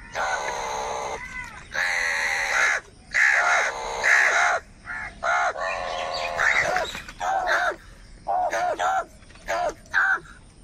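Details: Crows fighting for food, calling in anger and group unity: a run of loud, harsh, drawn-out caws, some long and some clipped, following one another closely with short gaps.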